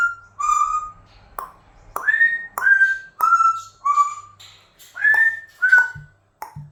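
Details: Indoor pet Amazon parrot, a bit crazy, runs through a string of whistled notes, some rising and some falling, each starting with a sharp click, about two a second, with a faint low hum behind.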